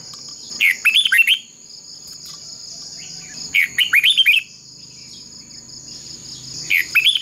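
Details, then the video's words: Decoy red-whiskered bulbul singing in a fighting contest to train other birds' voices: three short bursts of lively, warbled whistles, roughly every three seconds, with a constant high whine and faint low rumble behind. "Chào mào mồi hót đấu quá tuyệt!! - Luyện giọng Chào mào hót hay"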